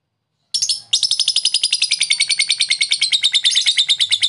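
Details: Lovebird ngekek, a long chatter played to stimulate lazy lovebirds into calling back; after a brief silence, one squeal leads into a fast, unbroken series of high, scratchy, pulsed notes.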